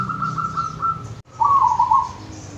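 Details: Wild zebra dove from the Wonogiri countryside in Indonesia, singing a run of soft, quick-pulsed coos. After a brief silent break comes a louder burbling, trilled phrase that dips slightly in pitch.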